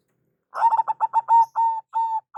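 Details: Local zebra dove (perkutut) giving a lure call: a quick run of short clipped coos speeding into longer, even, drawn-out notes, all on one steady mid pitch, in a quiet setting.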